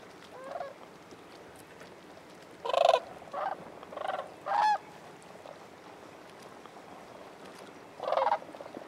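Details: Cranes at Bosque del Apache with a few separate, loud, rolling trumpet calls, one short burst after another, then a quiet gap before a last call, over a soft background hum.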